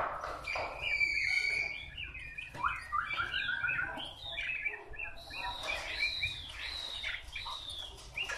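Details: Wild-caught Chinese hwamei singing a rich, varied run of clear whistled notes, sliding phrases and quick chirps, with high bright notes and loud overlapping bursts; no pauses in the song.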